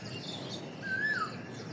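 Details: An Asian koel calling from tree thickets by a lake beside a bridge in Uttara Sector 17 gives one clear whistled note that rises, holds briefly, then slurs downward, over a steady wash of background noise.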